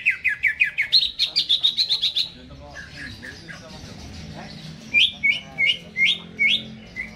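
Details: Greater green leafbird in a cage before being hung up, delivering a fast series of loud repeated chirps that step up in pitch, a quieter pause, then five evenly spaced sharp notes.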